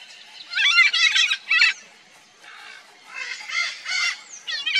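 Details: Red-and-green macaw nesting pair, loud harsh squawking calls in two bursts with a quieter pause between, raspy, broken, many stacked notes.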